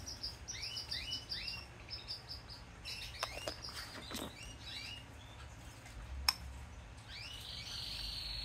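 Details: Hand-fed Yellow Isabel canary baby, one day old, begging in a steady run of tiny high peeps, many with a short upward flick, repeated several times a second, plus a few clicks over faint low hum.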